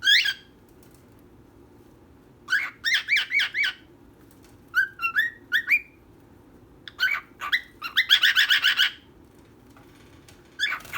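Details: Female and male pet birds calling indoors: scattered bursts of quick chirps separated by quiet gaps, and near the end a dense, buzzy trill before a last short chirp.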